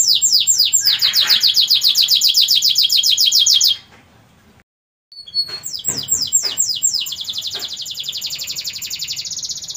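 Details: Canary in full song: fast, high rolled trills of falling notes repeated almost four times a second, a short silent break, then a second run of similar trills.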